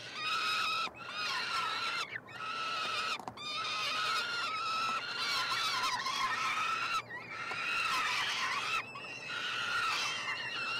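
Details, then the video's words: Begging by three young peregrine falcons fed at a University of Montreal nestbox, Canada, 21 June 2022; continuous grating screams from several chicks overlapping, interrupted by a few short pauses. "Karmienia " trojaczków ""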